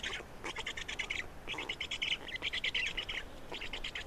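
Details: At an Estonian black stork nest during feeding, 27 May 2019, rapid stuttering rattles of hoarse buzzing follow one another almost continuously, with only brief breaks.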